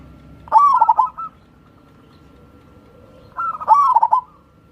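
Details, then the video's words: Two cooing phrases from a local wild-type zebra dove, meant to coax lazy doves into song: each opens with a rising note and breaks into a rapid stuttering roll, with a quiet pause between. "SUARA BURUNG PERKUTUT"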